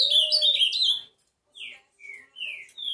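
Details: Ultramarine grosbeak opening with a dense warbled phrase, then after a pause several clear, separate whistled notes sliding downward or upward.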